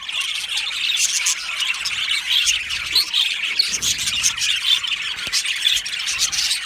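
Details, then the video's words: Many budgerigars in an aviary making constant overlapping chirps and harsh squawks, a dense high chatter with bursts of sharper calls and faint low thumps. "Beautiful Budgies aviary | Budgies Chirping sounds"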